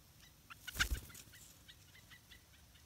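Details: Yellow-vented bulbul chicks in a nest hidden in an areca palm, begging as parents bring large insects; a loud flapping burst near the start, then a series of short high chirps at irregular intervals over low background hum.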